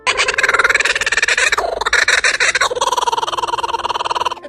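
A kookaburra's loud, rollicking laugh: harsh, rapid cackling notes tumbling about three per second, rising and falling in a continuous chorus.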